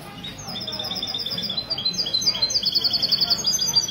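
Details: Caged European goldfinch ('misto') at a goldfinch association meeting in a Ksar el-Kebir café, Sunday morning, 16 February 2020; continuous high tinkling trills that grow louder and faster, with faint conversation behind.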